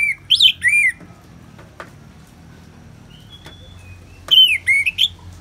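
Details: Orange-headed thrush singing ngeplong over soft rain: two short bursts of loud, bouncing slurred notes at the start and end, separated by quiet thin whistles and clicks.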